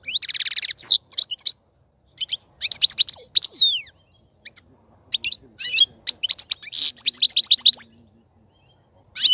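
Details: Caged European goldfinch, its cage readied for mating, sings rapid liquid twitters: an opening buzzy trill, then clusters of sharp high chirps and tinkling phrases broken by brief silences.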